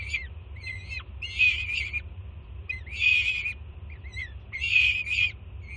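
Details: Juvenile peregrine falcon at a Jersey City nest screaming excitedly while the mother brings breakfast; three loud, noisy, rasping bursts about one and a half seconds apart with softer short notes between, over low steady hum.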